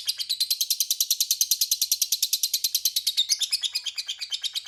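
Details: Lovebird in a long ngekek used to lure rivals into replying: an unbroken, loud, rasping chatter of quick notes, about six or seven each second, steady in rhythm across the whole stretch.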